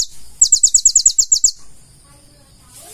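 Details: Purple-throated sunbird, or konin, in full song with learned phrases: a single fast series of about ten sharp high ticking notes over one second, followed by near silence.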